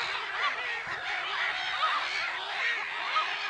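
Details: Black-headed gull flock at Lake Sarymsak, Pavlodar Region, Kazakhstan, April 10, 2011, giving a steady mass of hoarse, bubbling cries, with a few sharper squeals standing out from the crowd.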